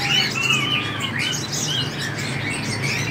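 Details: Sunbird (local name hút mật 7 màu) uttering quick, sharp high chirps and short slurred twitters in an irregular series, with constant low background noise.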